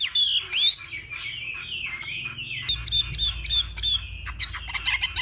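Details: Contest singing of a Northwest Vietnamese hwamei in morning practice: long wavering whistled phrases gliding downward, punctuated by sharp clicks, with a rumbling low hum growing halfway through.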